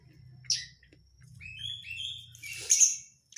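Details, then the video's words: Oriental magpie-robin lure recording of dense crecetan chatter, meant to provoke other magpie-robins into singing: a sharp high note, then buzzy rising and falling whistled phrases ending in a loud scratchy burst, over a faint low hum. "pancingan kacer susah konslet dengan suara crecetan rapat"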